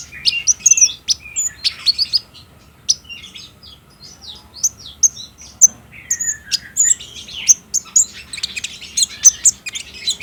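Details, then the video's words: Captive trotol-type olive-backed sunbird song meant to provoke a caged sunbird into singing, for daytime playback, filmed with a Samsung J5: quick, sharp high tweets and tinny slurred whistles tumbling in uneven phrases, broken by short pauses. "PANCINGAN KONIN TROTOL AGAR BUNYI DAN GACOR"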